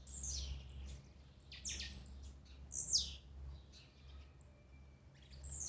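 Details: Blue-black grassquit song played to excite a kept bird: brief, high, buzzy downslurred notes near 0.3, 1.7, 2.9 and 5.5 seconds, separated by quiet gaps, over a steady low hum.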